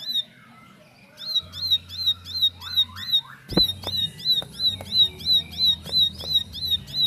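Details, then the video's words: Bar-winged prinia, a bird that had been silent, answering straight away with rapid 'nembak' song; after about a second of quiet, shrill high notes begin and repeat evenly near three per second, with a loud click midway and low hum. "Ciblek Bisu Langsung Nyaut Ikut Nembak Nembak"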